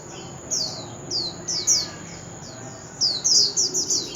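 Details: Oriental magpie-robin, old and wild, singing loudly at a street corner. Its song is a series of high, bright downslurred whistles, at first spaced out and then in a quicker run of five or six, over low background hiss.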